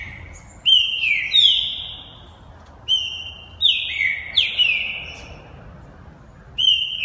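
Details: Champion green-winged saltator kept for song contests in Santa Catarina, Brazil, repeats short phrases of two or three bright whistles sliding down, separated by pauses of about one to two seconds.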